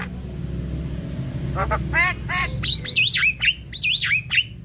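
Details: Javan myna calls used as a lure for wild birds: a few harsh stacked notes, then loud whistled rising-and-falling phrases repeated, over a low rumbling background hum.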